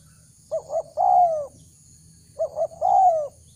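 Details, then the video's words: Decoy spotted dove cooing to attract wild doves: two identical phrases, each a pair of short hooting notes then a long, slightly rising-then-falling coo, clear against a faint hum. "Chim cu gáy chiêu kích mồi tập bổi nhanh nổi hiệu quả"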